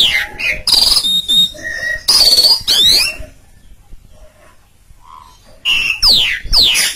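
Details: Asian pied starling (Gracupica contra) in loud, varied song, bursts of high whistles, sweeping slurred notes and harsh chatters with a short quiet gap midway; used as a model for training other birds to sing.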